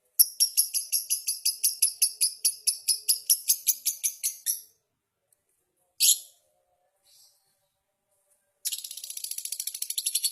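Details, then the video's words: Champion lovebirds from a subdistrict-level singing contest duel, chatty and in full voice: a long, very high rapid trill of evenly repeated notes lasting over four seconds, a short burst, then another fast high trill starting up near the end. "Duel Lovebrid Gacor Juara Tingkat Kecamatan"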